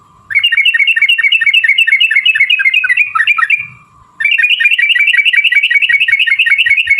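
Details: Sooty-headed bulbul in fast, long 'ropel' singing style, played as a lure to make other bulbuls sing: dense run of short bubbling whistled notes with a brief pause, over a steady faint hum.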